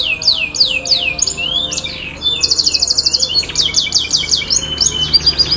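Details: Canary singing as a lure for a quiet canary. Downward-sweeping whistles, a dense buzzy trill, then varied quick phrases of chirps and slides.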